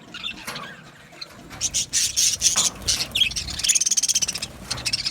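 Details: Budgies kept together in an aviary chatter in very high, thin chirps, rapid and overlapping, quickening into a fast stuttering run near the end.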